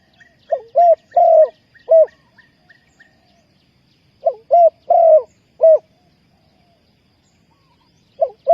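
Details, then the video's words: Spotted dove luring wild doves to a trap. Its four-note cooing phrase repeats about every three and a half seconds, accompanied early on by a string of faint, high, evenly spaced chirps. "นกเขาใหญ่สายต่อดิน,Tekukur pikat,Cu gáy Ninh Thuận,Sound Of dove"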